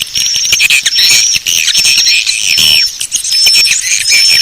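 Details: Swiftlet lure call, meant to attract the birds: loud, crowded squeaky chatter with scattered thin high whistled notes and harsher squawky twitters mixed throughout.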